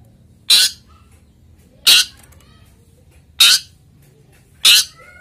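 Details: Male long-tailed shrike in breeding condition, used to lure and stimulate singing: four harsh, broadband rasping notes spaced about one and a half seconds apart, each a short noisy burst, with quiet gaps between.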